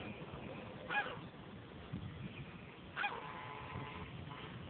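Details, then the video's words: Bar-headed goose in Jalpaiguri town, 2018: two nasal, honking calls about two seconds apart, with a faint low background rumble between them. "BAR HEADED GOOSE"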